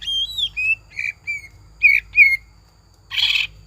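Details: Greater green leafbird lure song with tengkek buto imitation fill, meant to make caged leafbirds sing actively: clear whistled notes sliding and dipping between short pauses, a few sharp upslurred phrases, ending in a harsh rasping burst.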